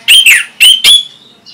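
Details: Orange-headed thrush whose song is played to get other birds singing: four loud, bright whistled notes in quick pairs, then a faint trailing whistle.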